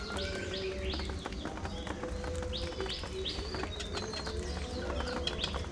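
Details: Caged budgerigars chattering: constant overlapping chirps, rising squeaky whistles and clicks, with a low background rumble throughout.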